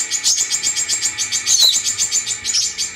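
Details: Brown-throated sunbird lure recording meant to prompt other birds to sing: a rapid, even trill of high, thin chirps, roughly ten notes per second, steady throughout, with one sharper sweeping note midway.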